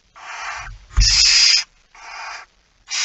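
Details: Barn owl at the nest during feeding, 05:28 on 19 September 2019: three breathy hissing screeches, the middle one louder and sharper, accompanied by a low thump as it starts.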